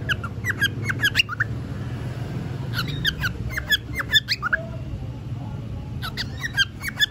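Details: Pet cockatiel, said to be bored and starting to talk, gives clusters of sharp, short chirps and squawks in quick irregular bursts separated by quiet gaps, over a constant low hum.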